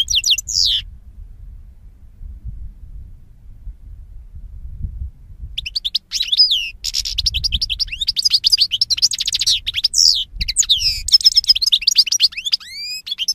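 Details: Goldfinch singing, from a 2016 recording: a short high sweep, a long pause with low background rumble, then a dense run of tinkling twitters, trills and rising and falling whistled notes.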